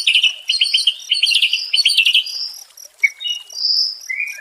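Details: White-rumped shama song meant as therapy for a stressed caged bird: quick run of chattering notes, then scattered whistled and buzzy fragments at varied pitches.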